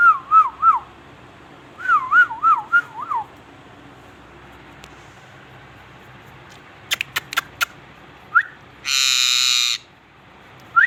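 A parrot gives two bursts of wavering, warbled whistles, then sharp clicks, a brief harsh screech and a last short whistle.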